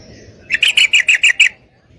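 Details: Female yellow-vented bulbul inviting a male to mate with a single rapid series of seven loud, sharp chattering notes lasting about one second.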